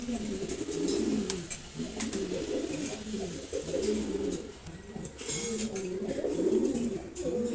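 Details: Silver Gorra pigeon pair, domestic, indoors; low throaty rolling coos repeated steadily through the recording, some faint background rustle.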